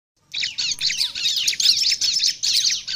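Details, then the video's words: Bar-winged prinia song used as a lure to draw other prinias, described as a bird in full, vigorous voice: rapid bursts of sharp, high chirping notes in quick succession, separated by very short pauses. "Tidak satupun ciblek diam Bila dengar suara ciblek gacor ini|| pancingan ciblek"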